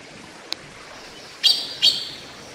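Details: Taiwan blue magpie (Formosan blue magpie), a Taiwan endemic, while bathing; one faint click followed by two loud, harsh, high-pitched calls that trail off, over a constant hiss.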